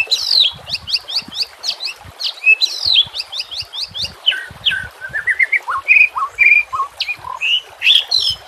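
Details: White-rumped shama song in 'nembak kasar' style for training birds: a rapid series of high, sharp, descending notes, then varied whistles and steady tones, lively and continuous.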